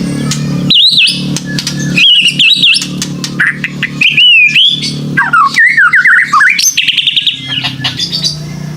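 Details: White-rumped shama lure song for young caged birds just out of juvenile spots, meant to encourage them to sing: a run of varied clear whistled phrases, rising and falling, with sweeping slurs and a steady low hum underneath.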